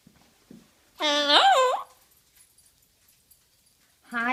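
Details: Yellow-headed Amazon parrot, a friendly pet in Prior Lake, Minnesota, saying hello indoors. One rich, harmonic, voice-like word dips and rises over about a second. A second similar utterance starts at the end, with faint room sounds between.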